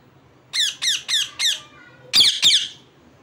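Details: Four evenly spaced, grating parrot chirps that fall in pitch, followed by two louder, harsher screeches in quick succession indoors.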